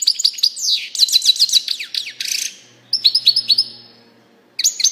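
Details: European goldfinch singing: bursts of fast, bright, liquid twittering notes with sliding phrases, a short pause midway, then more quick chirps and a final burst. No other sounds.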